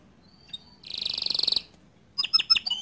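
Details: Bottle-green canary singing a tutor song for young and untrained canaries: a soft note, then a fast buzzy trill lasting under a second, a pause, and a burst of bright chipping notes at the end.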